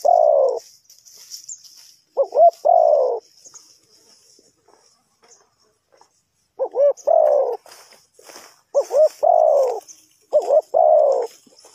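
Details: Trapping lure spotted dove repeating its two-quick-notes-then-long-falling-coo phrase, a pause of several seconds midway, then three phrases in close succession, with soft high twittering in the background.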